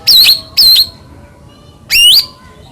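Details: Three short, bright, high whistled notes from a white-rumped shama, two close together and one after a pause, each sweeping and wavering; used to lure other shamas into singing.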